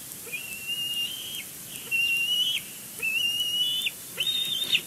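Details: Juvenile bald eagle at the nest at Big Bear Lake on a June morning, before flying out to a nearby pine; a series of high, thin whistled calls, each drawn out about a second, repeated four times with short gaps.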